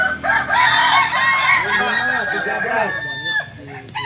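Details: Crowing contest of Balenggek chickens, landiak class, held on a Sunday at Ampang Kualo in Solok city; loud rolling crows break into rapid chains of rising-and-falling syllables, several birds overlapping, soft crowd murmur.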